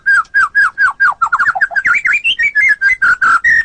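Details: White-rumped shama (murai batu) singing in a master recording used to train competition songbirds: a steady run of loud, clear whistled notes, some falling and some rising, rippling into quick trills and ending on sustained high whistles.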